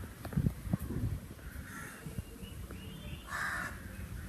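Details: Summer sounds of a crow: a few low knocks at first, then two harsh caws, the second louder and longer, over quiet low-frequency background noise.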